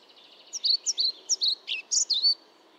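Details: Ficedula hypoleuca, the European pied flycatcher: a brisk string of about seven high, clear notes, some dipping lower in the middle, delivered in under two seconds against a quiet background.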